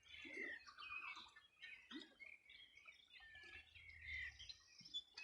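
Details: Riverbank birds at Río Bueno, Los Ríos Region, Chile, singing one summer morning in 2020: varied chirps and short whistled notes from several birds, with occasional low thuds and rumble.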